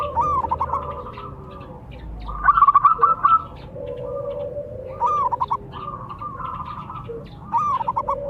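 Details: Local zebra doves answering each other as a male and female pair: stuttering note bursts leading into long vibrating coos, repeated every couple of seconds, two voices layered.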